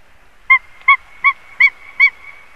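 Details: A white-tailed eagle at a nest live-cam in Latvia with a breeding pair gives five short, clipped, yelping notes, evenly spaced about three per second, over a faint steady high hum.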